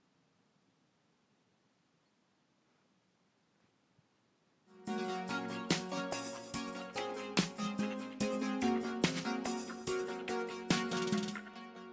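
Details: Near silence for about five seconds, then strummed acoustic guitar music fills the rest, with no animal calls heard.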